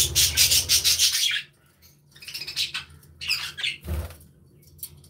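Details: Aviary budgies chattering and chirping, a dense burst of scratchy high warbling at first, then scattered squeaks and a low thump.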